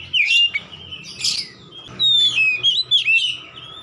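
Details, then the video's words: Kacer, the Oriental magpie-robin, singing as therapy for a silent bird. A rich whistle and a harsh burst open the phrase, followed by long clear descending whistles and quick slurred notes over a faint low hum. "terapi membuka paruh Kacer macet bunyi ikut gacor"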